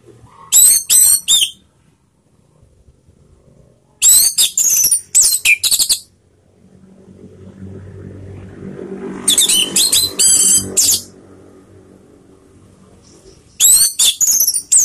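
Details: Orange-headed thrush calling as a lure to stir other birds to sing: clusters of rapid, harsh, scratchy notes separated by pauses of several seconds, with a faint low rumble between bursts.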